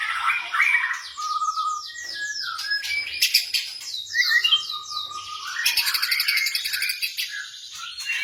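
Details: Caged blorok white-rumped shama singing a lure song for shamas that are slow to sing: a series of descending slurred whistles, mixed warbles and clicks, then a fast high rattling trill.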